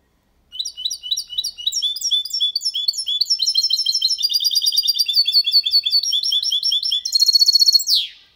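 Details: Faultless song of a goldfinch × canary hybrid, Málaga copy, meant to stimulate females and teach youngsters: a long run of fast, bright twittering notes, shifting into a tighter metallic trill and finishing on a falling buzz.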